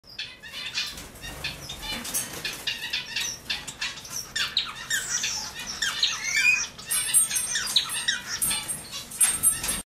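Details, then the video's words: A male society finch sings a rapid, high, buzzy chattering warble with scratchy clicks, mixed with wing flutters and rustling throughout. "Society Finch Singing"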